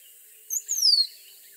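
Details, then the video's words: A single rose-throated becard phrase: a quick high pip, then a sweet, drawn-out whistle gliding down in pitch, set against quiet surroundings. "Rose-throated Becard Bird Song"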